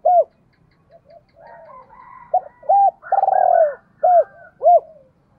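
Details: Spotted dove kept as a lure, cooing to excite wild doves. Short, hollow, arched coos alternate with one longer, rougher note, with fainter softer coos between them. The background is otherwise still.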